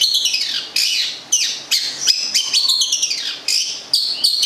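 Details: Cendet, or long-tailed shrike, a local bird of Gedong Songo, Central Java, kept as a songbird, giving fast, harsh high chirps and downward-sweeping notes in a quick, steady series.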